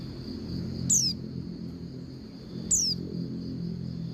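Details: Female Oriental white-eye calling the male: two short, high, thin down-slurred whistles about two seconds apart over a steady high-pitched hum and low rumble.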